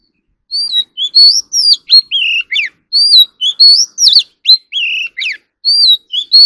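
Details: Oriental magpie-robin singing during song training for competitive singing, a loud, varied stream of sweet whistled phrases, upslurred and downslurred notes repeated in quick succession with sharp clicks, against a silent background.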